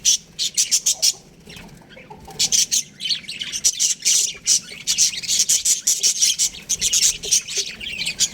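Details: Baby budgerigars kept in an aviary give rapid bursts of sharp, high chirps, many short notes in quick runs separated by a pause near the second mark.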